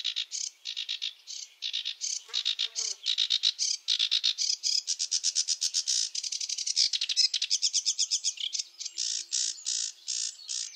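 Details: Sedge warbler of wetlands singing a rushed, chattering song: dense runs of short harsh notes packed back to back, with brief lower grating notes near the start and a steady scratchy rhythm throughout.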